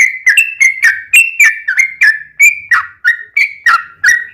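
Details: Long 'ropel' lure song of a yellow-vented bulbul intended to trigger captive birds to answer: evenly paced series of liquid, slurred whistled notes, roughly three per second, continuing throughout.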